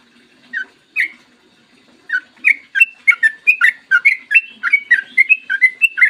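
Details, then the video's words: Clear morning 'ropel' song of a yellow-vented bulbul: two isolated chirps, then a quickening stream of bright, bubbling whistles that tumble up and down in tight succession; faint background hum. "PANCINGAN TRUCUKAN AGAR BUNYI burung TRUCUKAN GACOR ROPEL PANJANG"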